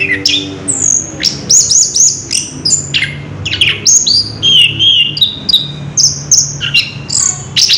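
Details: Orange-headed thrush delivering ngerol song: sustained high whistles broken by sharp ticks and one drawn-out wavering note midway, all run together in a steady flow.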